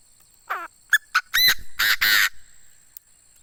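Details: Decoy Chinese francolin crowing: a rapid phrase of five or six loud notes, starting with a short nasal note and sharp clicks, ending in harsh, buzzy, emphatic syllables.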